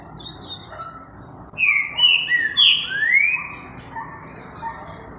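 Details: Green-winged saltator (Saltator similis), a true trinca-ferro, singing eagerly at 11:13 a.m. on Friday 8 October: a loud phrase of rich, slurred rising and falling whistles in two seconds, with faint high chirps before and after.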